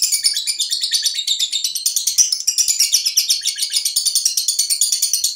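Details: Young lovebird on a terrace in Indonesia giving its ngekek, a long chattering song: rapid, continuous high-pitched buzzy chips pulsing several times a second without pause, with no other sounds.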